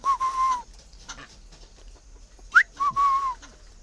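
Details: Chinese francolin kept tame in captivity, two calls each a long even whistle dropping at the tail, separated by a short sharp upward note, with soft tapping noises behind.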